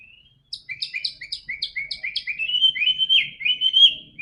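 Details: White-rumped shama song for getting a silent bird to sing: rapid repeated two-part chip notes, about two per half second, accelerating into a continuous rich whistled warble.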